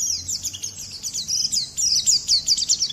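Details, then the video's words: A short burst of white-eye (pleci) song, used to provoke other birds and to teach their songs: fast, thin, high-pitched chirps run together into a continuous sparkling twitter. "kicau burung Pleci"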